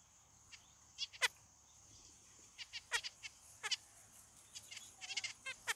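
Zebra finches give short, nasal, buzzy beeps and chattering notes in quick, irregular bursts.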